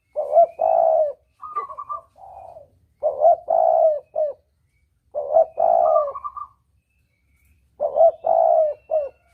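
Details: Spotted dove calling repeatedly on a hunting lure track in the double-kuk style, with four phrases of deep soft coos, each with a stuttered start, a sustained middle coo and a short end note, interspersed with higher rolling notes.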